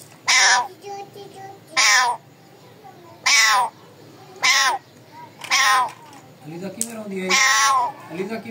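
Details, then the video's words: Pet parrot calling with a run of loud, raspy screeches roughly every one to one and a half seconds, mixed with softer, lower wavering sounds between the calls. "My Raw Parrot calling voice"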